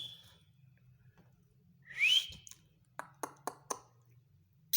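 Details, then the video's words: A talking pet male green rose-ringed parakeet, which says words like "mithu", gives one loud, rising whistle, then a few quick clicks and a sharp chirp, over a faint indoor hum. "green ringneck Talking male"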